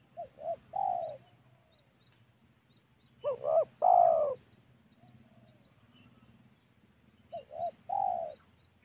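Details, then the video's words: Lure call of a spotted dove meant to draw wild doves for hunting: three coo phrases of short double notes and a longer coo, the middle one loudest. Faint high chirps are heard in the background. "SUARA PIKAT MEMANCING EMOSI SEMUA TEKUKUR//COCOK UNTUK BERBURU"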